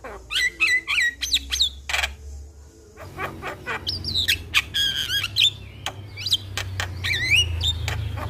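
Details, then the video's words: Javan myna singing as a lure to make a silent myna start singing: quick harsh chatter and whistled squeals, a pause, then varied grating notes with long wavering and upslurred whistles, over a low background hum. "Pancingan Burung Jalak Malas Bunyi Dengan Suara Jalak Kebo"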